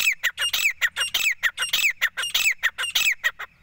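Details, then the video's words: Male Grey francolin calling to the female: loud, harsh, squawking notes in a rapid, fairly steady run of about one and a half per second, each with a squeaky rising tone, continuing for several seconds. "gora teeter ki boli"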